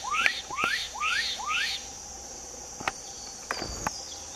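Black-capped donacobius gives four loud, rising whistled notes in quick succession, about two per second, then a few sharp clicks, over a steady high insect hum.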